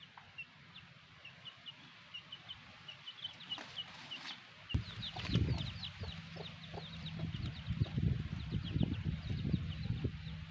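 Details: Black hen with chicks: high chick peeps throughout, joined halfway by the hen's low, repeated clucking and scratching sounds growing louder.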